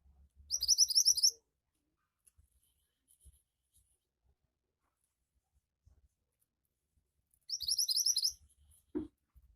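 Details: Javan white-eye (mantenan) in gacor song, meant to prompt untrained birds to sing: two short bursts of rapid, high, thin twittering about seven seconds apart, separated by near silence with faint taps, then a low knock at the end.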